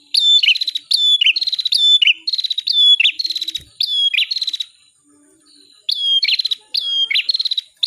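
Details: Bar-winged prinia delivering loud, insistent song: quick, buzzy chirp phrases with a bright whistled dip, repeated about once a second in long runs broken by short silences; a single soft knock midway, otherwise clean.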